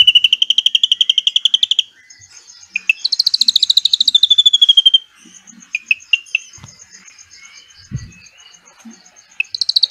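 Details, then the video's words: Drongo imitating cililin with long shooting trills for white-rumped shama training. A high pulsed trill stops, is followed by a few sharp notes, then comes a louder falling rattle, a gap of scattered chips, and a trill again at the end. "SRIGUNTING ISIAN CILILIN NEMBAK PANJANG UNTUK MASTERAN MURAI BATU"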